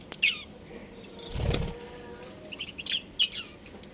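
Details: Happy pet budgies playing at home give quick high chirps, first a single sharp one, then a rapid flurry of tweets near the end, with a dull thump and rustle in between.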